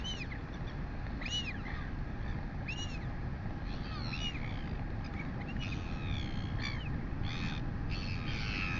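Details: New Zealand royal albatross chick, female, during a feed from its mother at 11:24 am, 23 August 2020. Repeated arched, whining squeals roughly every 1.5 seconds, then denser harsh squawks, all over a roaring wind background.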